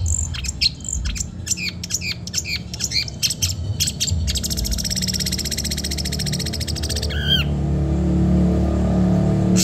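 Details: Long-tailed shrike from Madura, on a training recording meant to get silent caged birds singing. Quick chirps and whistled notes tumble out, then a long buzzy rattle, then a short falling note, over steady background hiss.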